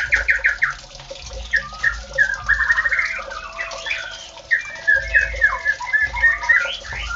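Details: White-rumped shama (Copsychus malabaricus), song.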